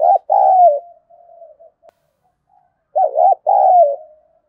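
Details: Spotted dove calling to stir up competition, in two loud phrases close together. Each phrase has a short undulating note and a longer coo that falls away, with soft trailing coos after the first phrase.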